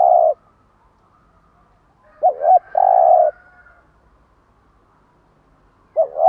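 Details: Spotted dove in bai ban morning cooing, used to stimulate and train caged birds. Its phrases pair a short double note with a long, level, buzzy coo, about 3.7 seconds apart. The surroundings are otherwise quiet.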